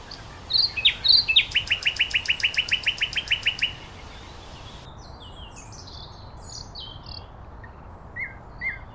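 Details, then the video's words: Common nightingale in full song: a loud, rapid, rhythmic rattle of about fifteen evenly repeated notes, then a pause and softer, scattered high twittering phrases. "Beautiful Nightingale Birdsong"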